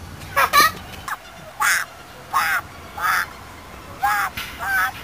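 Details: Patagonian conure kept at Warsaw Zoo, recorded in December 2006; harsh, nasal squawks repeat roughly every half second to second. A person speaks briefly at the start.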